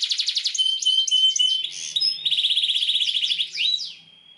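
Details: Canary song for teaching juvenile canaries: rapid rolling trills mixed with sharp sweeping whistles and brief pure tones, a long fast rattle in the middle, then falling notes that fade out.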